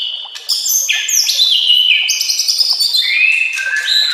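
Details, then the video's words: Continuous energetic song of a white-rumped shama used as a training master: dense overlapping whistles sliding up and down, with fast high trills and rich ringing tones throughout. "Masteran murai"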